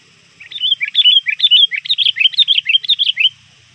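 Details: Trained lure sooty-headed bulbul, still calling nonstop toward dusk to draw rivals. A lively run of about three seconds holds a dozen or so quick, bubbly chirps that rise and fall in pitch, over a faint constant high-pitched hum.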